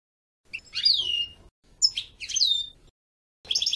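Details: European goldfinch giving short phrases of downslurred liquid notes, separated by pauses, then a quick burst of fast twittering at the end.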